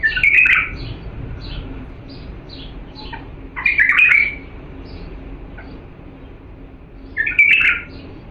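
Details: Diyala bulbul song meant to train chicks: three strong warbled phrases roughly every three and a half seconds, with faint high chirps between them and a low steady hum.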